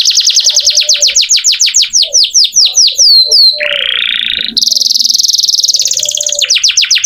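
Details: Energetic singing canary kept as tutor song for training magpie robins. Rapid, repeated descending sweeps form a fast rolling trill, then a buzzy rising phrase and a sustained high whistled trill, ending in further quick sweeps.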